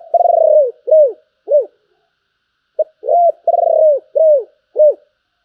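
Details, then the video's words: Spotted dove delivering its giọng thổ style coo, described as Bầu. Two phrases, each a long drawn-out coo followed by two or three shorter arched notes, separated by a brief pause in a quiet setting. "cu gáy giọng thổ, Bầu nghe rất hay"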